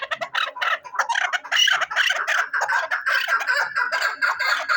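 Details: A chukar partridge used for hunting gives loud, rhythmic, grating chucks in quick succession, steady and unbroken throughout.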